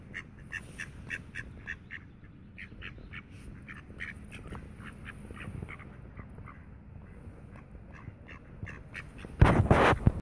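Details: Tame mallards in the Friedrich Ebert Park, Ludwigshafen am Rhein, Germany, chatter with quick repeated nasal quacks, several each second, before a sudden loud splashing burst at the very end.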